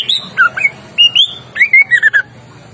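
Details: White-rumped shama in agitated, vigorous song: loud clear whistled phrases, some sliding up and others falling, in rapid bursts separated by brief pauses, with a faint low hum underneath.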